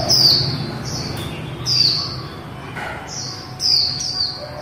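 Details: Líu twittering from a female white-eye: a series of thin, high downslurred whistles in short groups, with a brief lower note and a faint background hum.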